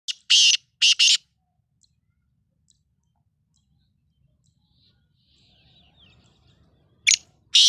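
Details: Black francolin, known as Sindhi lal potiya or kala teetar, gives a short burst of harsh, buzzy, rasping notes near the start. A long quiet gap follows, then another harsh note and a cut-off one at the end.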